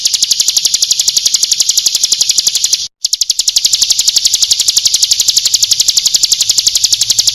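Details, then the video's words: Female Bar-winged prinia calling, used as a lure recording: a long fast series of sharp, high, dry ticking notes, about four per second, steady and even, broken by one brief cut of silence before resuming. "Pancingan ampuh agar ciblek gunung ikutan bunyai suara Jernih"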